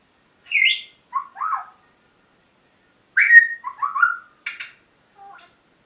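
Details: Pet parrot in a lively morning vocal session: bursts of whistled and squawky chatter notes in two groups, with short pauses, some phrases rising and falling, in a quiet room.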